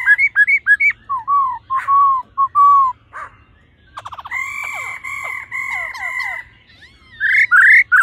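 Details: Female laughingthrush calling to stimulate the male: short looping whistled notes, then sliding whistles and a long steady harmonic tone held for about two seconds, ending with loud rising whistles.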